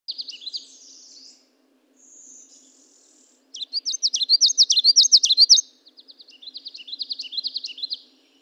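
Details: A Common Yellowthroat warbler, 80 ft away, recorded with a parabolic microphone, sings bright, high, quick notes in rolling repeated bursts, about three or four per second, over a faint low hum.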